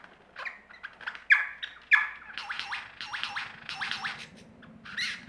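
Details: Australian lyrebird mimicry performance: a dense jumble of squawks, sharp whistles and harsh repeated downswept notes at a brisk pace, with a low rumble in the background.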